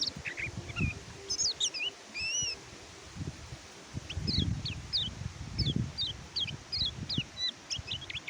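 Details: Oriental white-eye song used as training material for birds that fall silent during moult or after wild capture: scattered high, quick downslurred chirps and short whistles, with low rumbling and rustling noises between phrases.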